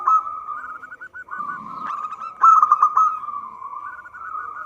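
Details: Local zebra dove singing actively, its voice used as a lure for trapping: a steady run of low, rolling coos with bubbling trilled notes that continues through the whole stretch, with a louder burst near the middle.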